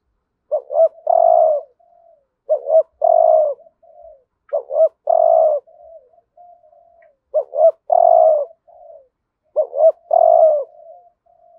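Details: Spotted dove used to lure wild doves, full 'hạp bổi' calling song: five steady phrases of two short rising notes and a long hoarse coo, each followed by faint trailing murmurs, roughly every two seconds.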